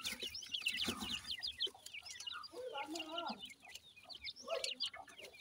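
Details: Indian Dakhni teetar chicks, the grey francolin, feeding in care; busy overlapping high cheeps from many chicks, with murmuring lower sounds in the background.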